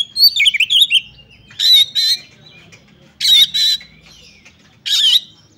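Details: Fighting song of an oriental magpie-robin: an opening run of whistled warbling notes, then harsh rasping double bursts repeated at irregular intervals with quiet whistles between.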